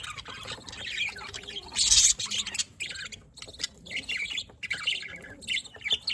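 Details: Budgerigars recorded on 27 October 2023, a dense run of buzzy, warbling chirps and chatter with a loud harsh burst near the two-second mark.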